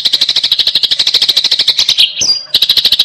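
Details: Fighting sparrows giving a rapid, dense chatter of sharp chirps, about three per second, with a brief pause and a scraping note before the chattering resumes.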